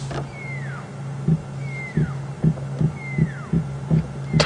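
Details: Pearl-spotted Owlet singing on a July evening at Djuma Game Reserve, South Africa, during a safari drive: three drawn-out, falling whistles about 1.3 seconds apart, over a steady low engine hum and light rhythmic ticking.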